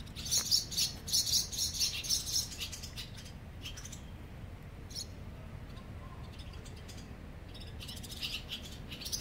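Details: Barn swallow colony beneath a bridge in Mercer County Park, New Jersey; a burst of fast, very high buzzy twittering in the first two and a half seconds, then scattered chirps later over low background rumble.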